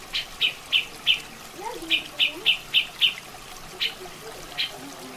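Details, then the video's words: Black-headed bulbul with running water: sharp, bright chips repeated in quick bursts of three to four, about three notes a second, pausing then resuming, over a steady trickle of water with faint lower gurgling. "Suara Asli Masteran Burung Cucak Jenggot + Suara Air"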